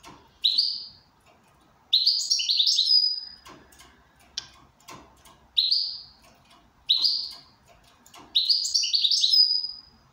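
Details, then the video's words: Goldfinch described as in good condition, singing in bursts of rapid, tinkling twittered phrases about a second long, high and bright, separated by short pauses with faint clicks and knocks between them. "Switty goldfinch in good condition."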